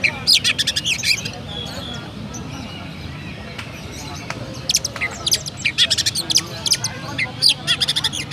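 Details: Captive Oriental magpie-robin from Pemalang, Central Java, Indonesia, singing in a style named after church sounds: bursts of sharp, high chirps and rapid trills in clusters, pausing then resuming, over a loud steady low background noise.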